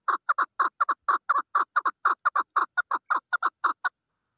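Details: A female chukar gives a rapid series of loud clucks, often in close pairs, about twenty notes in four seconds before falling silent.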